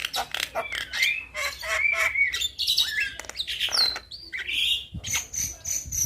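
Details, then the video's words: Young Javan myna singing vigorously with a full repertoire, meant to make other mynas reply: a dense run of short chirps, squawky notes and clear whistles. Sliding whistled tones rise and fall, with a high sustained whistle near the end. "Kicauan Jalak Kebo Muda gacor Full Isian"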